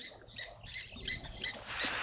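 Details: Lapwings at an African waterhole, 19 August, disputing a drinking African hawk eagle, give sharp, high, metallic notes, about three a second, in a rapid, agitated string over faint background rustle.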